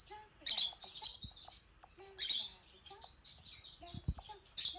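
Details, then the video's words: Pet female lovebird (peach-faced lovebird) panicking on seeing herself on a screen: bursts of shrill, high chirps and squeaks in short clusters about every second or two, with quieter low sounds between. "自分が映っている動画を見て動揺するコザクラインコ Love bird who panics when she sees herself on the screen."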